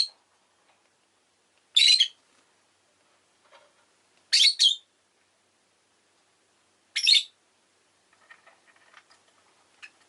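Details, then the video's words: Pet rosy-faced lovebirds, Agapornis roseicollis, calling indoors in Japan: loud harsh broadband chirps in short bursts, some doubled, spaced a few seconds apart, with faint soft chatter near the end. "Lovebird Chirping Sounds"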